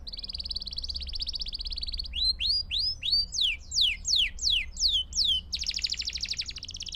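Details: Canary singing for young-bird training: a buzzy, even trill held for about two seconds, then a series of loud, arching whistled notes roughly twice a second, ending in another rapid buzzing trill.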